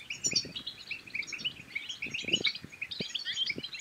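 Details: Brief burst of European goldfinch song, used to spur other goldfinches to sing and mate: fast, bright twitters and liquid tinkling notes, with soft low taps scattered underneath.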